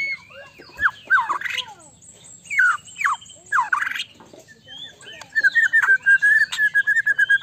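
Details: White-rumped shama song meant to draw a quick reply from another shama: loud descending slurred whistles and squawky notes, ending in a fast stuttering series of sharp repeated notes.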